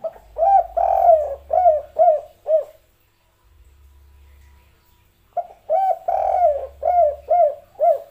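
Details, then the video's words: Spotted dove singing the "kuk 3" style coo, praised as very melodious: two phrases of soft, hollow coos, each a drawn-out note followed by four or five shorter rounded notes, separated by a few seconds with a faint low hum. "suara burung tekukur kuk 3"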